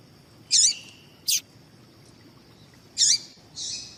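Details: Female double-collared seedeater calls meant to stir a male into song: two short harsh high chirps about two and a half seconds apart, with sharp clicks and a softer buzzy note, over a constant thin high tone.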